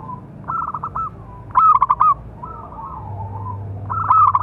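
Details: Loud-voiced local zebra dove calling to draw out and train other doves: a medium cooing phrase, then a loud throbbing one, gentle wavering coos, and another loud phrase at the end, with a low hum.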